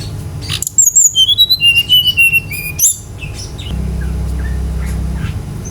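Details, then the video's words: Lure song of a Brown-chested jungle flycatcher, meant to set other birds singing: a quick run of bright whistled notes falling from very high to mid pitch over two seconds, ending in a sharp note, then a low droning hum. "PANCINGAN GACOR SRDC agar cepat ngeplong"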